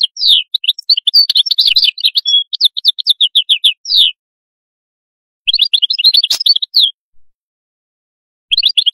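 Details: Atlantic canary in a long, lively burst of sharp chirps, rolls and high whistled notes lasting about four seconds, followed by two shorter trilled phrases after a pause.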